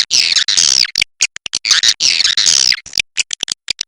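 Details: Swiftlet from the Kapuas River producing two long, harsh, falling buzzy chatters, each trailed by scattered sharp clicking notes.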